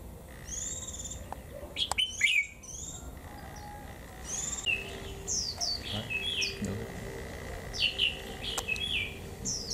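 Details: On a chilly 11 °C day, a caged Japanese white-eye gives 'họa kép' double-style song in 'líu thung' manner: a steady stream of sharp, high, downslurred chirps, with a steady electronic tone underneath and light clicks.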